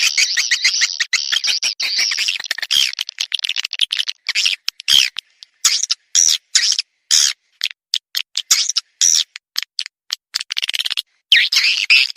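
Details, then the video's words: Swiftlet calling sound meant to lure swiftlets in, heard as choppy bursts of high twittering chirps broken by abrupt silent gaps. "Panggil burung walet suara panggil"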